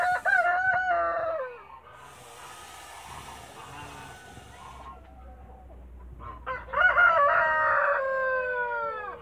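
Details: Toulouse goose, a mother guarding her eggs in a backyard. She gives a loud, harsh, harmonic honk that slides downward at its end. After a quieter stretch of background noise comes a second long, drawn-out honk that also falls in pitch.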